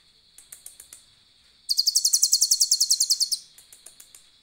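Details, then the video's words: Asian glossy starling in full song with a cililin imitation. Sparse sharp clicks give way to a fast, piercing trill of about twenty even high notes lasting nearly two seconds, then clicks again. A steady high-pitched whine is present throughout. "konin gacor isian cililin"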